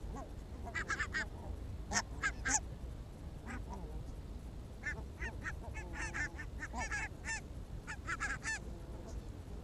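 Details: A barnacle goose flock on an evening walk in Arabia, 1 October 2014, gives a chorus of short, yapping, barking calls from several birds at once over a low rumble of traffic.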